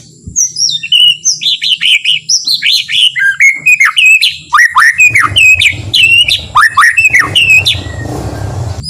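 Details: Gentle, slow white-rumped shama song meant to stir other shamas into singing: a long, rapid cascade of descending whistled notes, several per second, continuing for most of the recording before fading into rustling.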